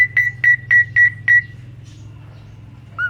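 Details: Asian pied starling in full, lively song, offered as a prompting recording to train and stir other songbirds to sing: five clear whistled notes on one pitch, about four per second, a pause, then one lower short whistle over a steady low hum.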